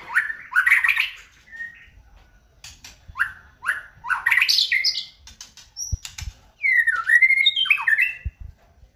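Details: White-rumped shama kept as a cage bird, song used as a lure to spark singing: short rising whistles and chattering bursts in quick succession, with a clear descending whistled run near the end and a few low knocks.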